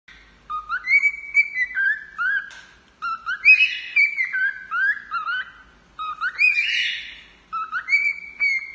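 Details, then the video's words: Male cockatiel singing to its owner: clear whistled phrases with rising and falling notes and rich harmonics, grouped in bursts of about two to three seconds separated by short pauses. "Calopsita Macho cantando para a dona"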